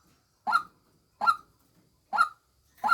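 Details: Four loud, clipped nasal notes from a female white-breasted waterhen kept as a decoy, spaced under a second apart, each a rough 'kwak' with a sharp onset and quick fade.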